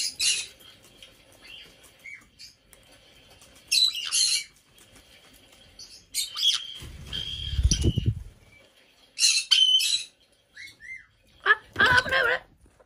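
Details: Captive female black-headed parrot, aged five, in an indoor bird room on her birthday. Repeated harsh, scratchy squawks in irregular bursts, with short whistled notes between them and a muffled flapping or thumping noise midway.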